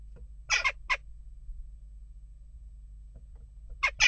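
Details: Restless jackdaws at a nest box: two harsh, short calls, a long quiet gap, then another pair of sharp rasping calls at the end, with a faint low hum.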